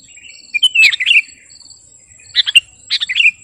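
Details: Sooty-headed bulbul song used as a lure and training master: two short bursts of bubbly, warbling notes about two seconds apart over a steady thin high whine, otherwise quiet.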